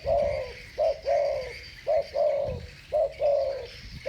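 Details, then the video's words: Close, loud spotted dove coos, 'thổ bầu' voice, two birds calling against each other: a quick note then a drawn-out descending coo, the phrase repeated three times within a few seconds. "Tiếng chim cu gáy giọng thổ bầu. 2 con giọng thổ bầu solo với nhau"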